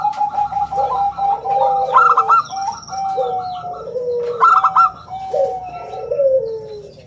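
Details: Local zebra dove in lively song with a round, crystal-clear voice, used as a lure and tutor for other doves: bursts of short, bright cooing notes over lower, sliding coos, with several overlapping phrases and faint chirps above.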